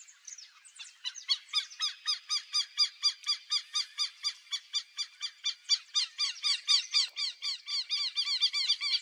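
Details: Wild black-bellied whistling duck recorded in the Pantanal, giving a long, even run of high, down-slurred squeaky whistles, roughly four per second for about eight seconds, swelling in the middle, after a brief softer start.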